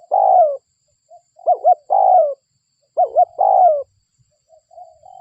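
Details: Local spotted dove used to draw in other doves, giving a long coo, then a double hoot and another drawn-out falling coo, repeated, trailing into soft quieter notes at the end.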